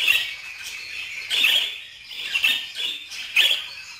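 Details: Budgerigars giving short bright chirping bursts, high and slightly squeaky, in four clusters about a second apart with quieter chatter between them; no other clear sounds.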